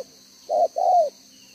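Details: Spotted dove decoy, 'đồng gáy 1 hậu' cooing style, 11 June 2023: one single phrase, a short mellow coo followed at once by a longer coo that bends downward.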